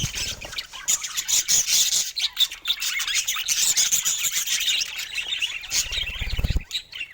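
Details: Pet budgies of many colors producing a busy stream of scratchy chirps, squawks and warbles, with a brief low buzzing near the end.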